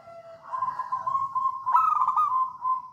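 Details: Javan wild zebra dove, or perkutut, in songgo ratu song, a lure to spur other doves: a steady low coo swelling into a burst of stuttered, bubbling notes that fade into an even hum.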